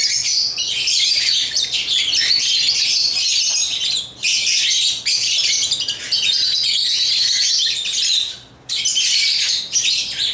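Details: African lovebirds kept as pets, playing with toys, pour out dense high-pitched chattering chirps in three long bursts split by short pauses near four and eight and a half seconds.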